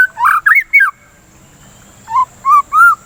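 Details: White-rumped shama singing, a lure recording meant to stimulate song and ease breeding excitement: three rich, loud, warbled notes, a pause of about a second, then three lower, mellow whistles.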